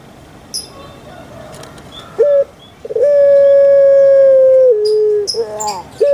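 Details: Puter pelung dove kept in Java, Indonesia, giving short clipped notes and then a long, steady, even-pitched coo of nearly two seconds that steps down lower at the end. Light bird chirps sound in the background.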